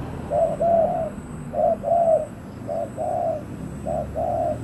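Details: Spotted dove calling as a decoy for wild doves, with short low coos each followed by a longer, swelling drawn-out note, repeated about every second and a half against soft background noise.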